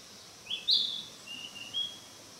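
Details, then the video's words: In mountain woodland a Narcissus flycatcher practises singing: a rising squeaky whistle, then a short series of faint, high, thin whistled notes. "キビタキ 囀り練習中"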